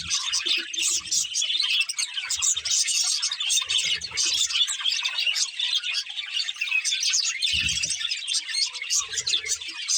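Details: Budgerigars of a breeding pair twitter and squawk in a steady, scratchy flow for ten seconds, broken by a few soft low knocks, one louder near seven and a half seconds.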